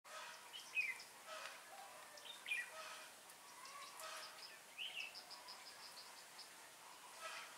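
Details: Red-whiskered bulbul, a caged decoy used for trapping wild birds, recorded on 19 January 2018: short warbled phrases at intervals of a couple of seconds, with rapid high ticking insect-like pulses and faint background noise.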